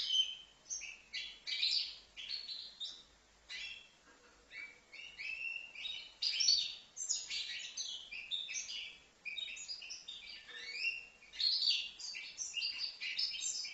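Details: Juvenile European goldfinch of five months from Livno delivers long twittering song phrases, loud jangling chirps and trills run together, with a short quiet gap near the middle.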